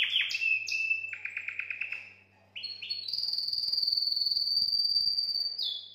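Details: Singing canary, a song meant to excite females for mating: varied trills and warbled phrases, a brief pause, then a long sustained high rolling trill held for nearly three seconds, ending with a lower note; faint low hum present.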